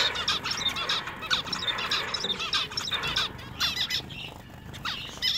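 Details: Male zebra finches caged in a pet shop, a dense chorus of short nasal "meep" calls and brief chattering song phrases overlapping constantly, about one and a half notes per second from the nearest birds, with bright high chirps throughout.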